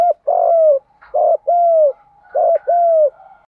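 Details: Spotted dove coos in the Đồng style, used to urge newly caught birds into cooing; paired low notes, a brief clipped coo then a long smooth falling one, repeated twice in quick succession.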